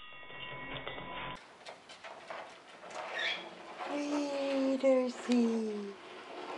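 A cockatoo sings in a voice-like tone, holding sustained notes that slide downward over about two seconds. A brief tonal snippet and room noises come before it.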